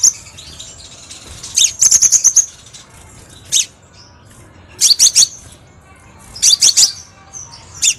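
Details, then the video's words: Crimson sunbird (kolibri sepah raja) lure song for training captive birds. Rapid volleys of four to six shrill chips come every one to two seconds, separated by quiet gaps. "MASTERAN GACOR & PIKAT KOLIBRI SEPAH RAJA SUARA PANCINGAN 10"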